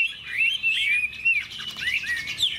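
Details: Caged Hwamei with bright yellow plumage and a broad fanned tail, singing in a fighting contest; rich varied whistled song of rising and falling slurred phrases, fast and continuous.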